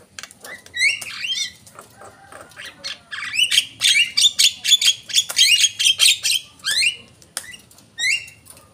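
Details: Javan myna call used as a lure: bursts of harsh, squawky notes and sharp rising whistles, high-pitched and delivered in quick irregular runs, with the densest stretch in the middle and a few isolated rising notes at the end.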